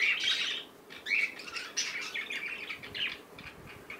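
A young cockatiel gives bursts of harsh, raspy chirps, high-pitched and uneven.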